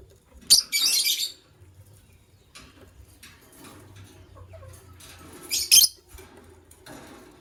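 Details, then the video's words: White lovebird pair calling in the morning. Two bursts of harsh, buzzy screeching come about five seconds apart, each with a sharp click-like onset. Quiet shuffling noises fill the gap between them. "White LoveBird Chirping Sounds"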